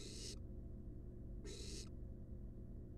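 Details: Resting wild barn owl nestlings in a nest box: two soft, breathy hisses about 1.5 seconds apart, quieter and partly masked by a loud low-pitched background rumble.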